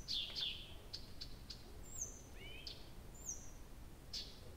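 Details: Nightingale singing through the night at Abramtsevo in early June, recorded from 23:00 on 6 June 2021: short clicking notes, then two thin downward-sliding whistles, over steady low background hum.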